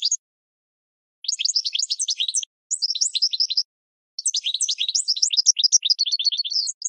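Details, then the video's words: Goldfinch song for training cage birds comes in three bursts of rapid, jangling twittering separated by short pauses. Each phrase is a busy tangle of high, slurred notes, ending in a run of faster, thinner trills. "Goldfinch 12h Excellent for Training"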